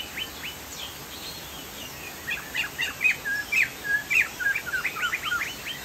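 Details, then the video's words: Chinese hwamei from Sumatra singing busily: a loud, varied sequence of fluty whistles and quick sweeping chirps building into a fast, dense run over faint background noise. "POKSAY JAMBUL GACOR"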